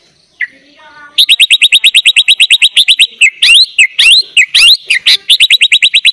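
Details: Sooty-headed bulbul in vigorous full filler-style song, recorded as a tutor for training young bulbuls: a rapid run of sharp high chips repeated several times a second, broken by louder sweeping whistled phrases, with a brief softer call before.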